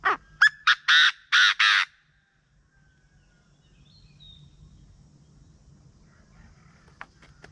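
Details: Chinese francolin calling in the morning, kept as a decoy lure: a burst of loud, harsh, broadband notes that quicken over two seconds, then quiet rural background with a faint distant note.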